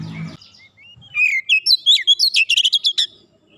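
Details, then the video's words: Kacer, the Oriental magpie-robin, in tight 'nembak rapat' singing used as therapy for an untrained bird: a brief low thump, then gliding whistles building into a rapid string of sharp, evenly pulsed notes. "terapi Kacer bahan cepat gacor nembak rapat"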